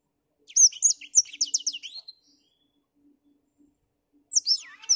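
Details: Lively song from a black-throated finch under cloudy morning skies: a quick, bubbling string of high whistles and chirps for about a second and a half, a long silence, then another brisk burst.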